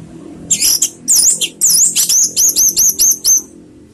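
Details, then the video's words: Orange-headed thrush, 'teler' lure song for raising emotion and breeding urge: a few slurred high notes followed by a rapid run of about eight repeated downslurred whistles, over a low steady hum. "PANCINGAN ANIS MERAH TELER || menaikan emosi dan birahi"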